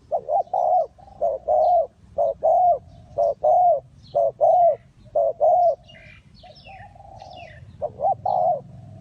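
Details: Spotted dove at a Ninh Thuận bird trap in Vietnam, delivering a long run of low rhythmic coo-croo phrases, pausing briefly amid a soft sustained hum and scattered high chirps of small birds before resuming.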